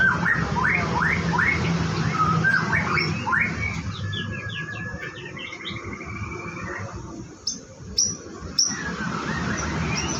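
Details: Captive white-rumped shama on a bird farm during its morning routine, about to bathe: a run of rising whistled strokes, then a rapid higher trill, ending with sharp clicking notes over low hum.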